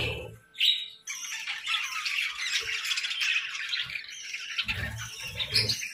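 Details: Several budgerigars breeding during the chilly season keep up a continuous rasping warble full of squeaky chirps and squawks. A short gap falls near the first second, with low bumping noises at the start and end.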